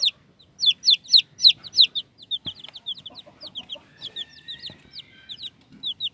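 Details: Chicks give a rapid series of high, squeaky peeps, each a short downward-sliding note, coming several per second in bursts, with faint shuffling and a thin whistling tone in the background.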